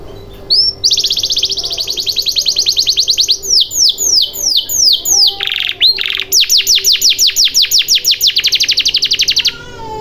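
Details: Canary singing to coax quiet canaries into song: long rolling trills of rapidly repeated notes, shifting between fast buzzy rolls and clearer sweeping syllables, with a short break around six seconds, then another extended trill.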